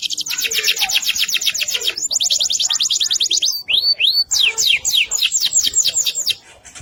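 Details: Continuous singing from an AFS-type canary: long bright trills of evenly repeated notes, a brief pair of upward-swooping whistles, then more rapid slurred phrases fading out.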